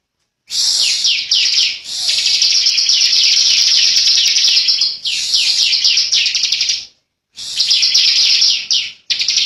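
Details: Bar-winged prinia (ciblek), a young bird, delivering long, dense 'ngebren' rattles: shrill, buzzy and continuous for several seconds, with repeated falling notes woven through and brief breaks between phrases.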